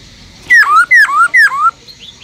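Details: Three bright slurred whistles, each dropping then lifting, repeated evenly by a captive Black-throated Laughingthrush in forest-voice song meant to rouse other laughingthrushes to sing.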